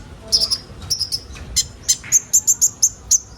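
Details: Kolibri ninja sunbird, recorded to get young birds singing. Scattered high chirps lead into a steady row of piercing tsip notes about five per second near the end.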